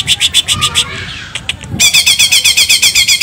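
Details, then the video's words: Greater green leafbird in full song, its repertoire filled with cililin phrases: rapid buzzy trilled notes repeated about four per second, a brief pause, then a denser, faster chattering trill. Faint low rumble underneath. "CUCAK IJO GACOR ISIAN CILILIN"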